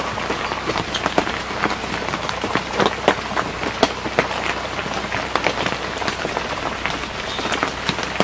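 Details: Steady rain patters on a hard surface with scattered sharp drop hits and no animal voice.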